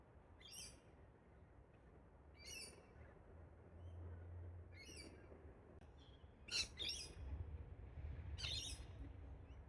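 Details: Galahs, a wild bonded pair of Rose-breasted Cockatoos in trees at a park in Australia; five grating screeches, each brief and raspy, spread irregularly over ten seconds above low background hum.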